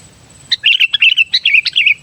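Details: Sooty-headed bulbul singing to attract wild bulbuls, a long run of about a dozen liquid, chattering notes delivered rapidly with little pause, bright and bubbly in tone, loud against near silence.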